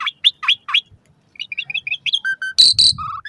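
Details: Asian pied starling song meant to stimulate caged starlings, morning and evening: quick repeated upslurred notes, a chattering run of short whistles, two low steady whistles and loud harsh broadband bursts.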